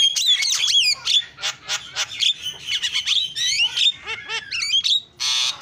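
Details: Energetic starling lure song with varied filler: high squeaky whistles and downslurs tumble into harsh rasps and click trains, then a burst of rapid rising chirps and a final loud hissing screech.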